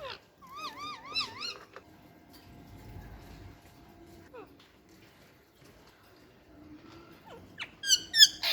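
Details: Pet parrot in the morning, giving a warbling wavering whistle in repeated loops, then scattered short calls and a burst of sharp, rapid whistled notes near the end, with faint indoor sounds.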